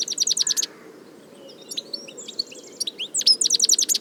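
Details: European goldfinch in nature delivering fast, evenly pulsed chirp series, a softer jumble of tinkling notes in the middle, then another rapid run of bright, repeated chirps.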